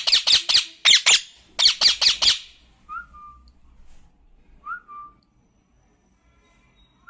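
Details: Talking parrot, a pet, asked to whistle: a fast run of harsh squawks, then a few short, soft whistled notes, each rising and then falling, spaced a couple of seconds apart.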